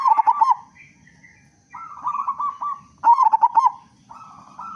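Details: Local zebra dove with a big, loud voice, singing to lure other doves into song: bursts of rapid, throbbing coos near the same low pitch, repeated three times with brief smoother hums between them.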